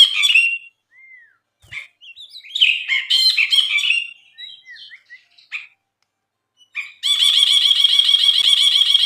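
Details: Brinji (bulbul) in energetic gacor song used as a masteran tutor recording: bright chattering phrases and a short slurred whistle, then a long, dense, harsh trill of rapidly repeated buzzy notes at the end; no other sounds.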